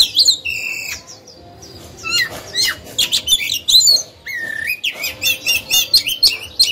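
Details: Caged oriental magpie-robin used as a lure bird to provoke other birds into singing: varied song of clear whistled notes, slurred phrases and harsh buzzy bursts, with a short quiet pause near the middle.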